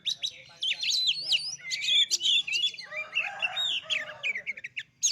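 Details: Oriental magpie-robin song used as a lure to provoke other birds into singing: a rich, rapid medley of varied whistles, sharp chirps and slurred rising and falling phrases, high-pitched and nearly continuous, with short pauses.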